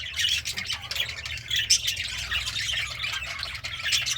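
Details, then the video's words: Pet budgie, happy while eating greens, produces steady raspy, buzzy warbling chatter without pause over a faint low hum. "The Sounds of a Happy Budgie - Chirping, Singing, and Eating Greens"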